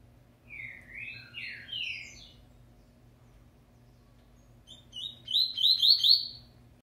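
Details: A captive double-collared seedeater being prepared for the 2019/20 singing season sings a few slurred, high whistled notes, then after a pause a fast burst of buzzy, repeated trills, with a faint low hum underneath.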